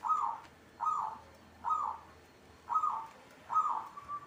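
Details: Brief bout of zebra dove song: five soft rounded coos, each starting with a sharp bright onset, spaced slightly under a second apart, with a low hum under the second and third notes.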